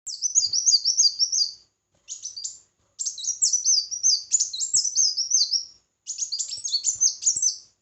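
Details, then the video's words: Red-whiskered bulbul in competitive singing: quick, high, sweet warbled phrases with rapid up-and-down notes, delivered in bursts of one to three seconds separated by short pauses. "Chào Mào Hót Đấu"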